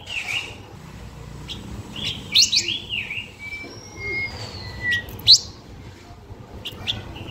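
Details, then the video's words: Blue-winged minla giving a lure song meant to attract birds: clear, high whistles, some long and level, others slurred downward, mixed with quick sharp chirps, against a soft low hum. "Chim khướu lùn cánh xanh hót mồi"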